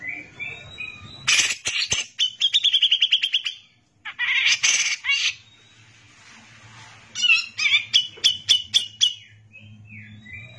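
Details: Grey-cheeked bulbul (cucak jenggot) singing persistently, in the 'gacor' style used as a tutor recording for training other songbirds. High clear whistled phrases are broken by rapid harsh buzzy bursts, with fast repeated notes near the end.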